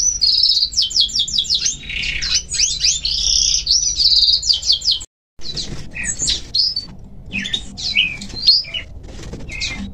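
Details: Lively songbird song among nature sounds: fast runs of high chirps and rattling trills, then scattered whistled and twittering phrases after a brief silent break, with low background rumble throughout.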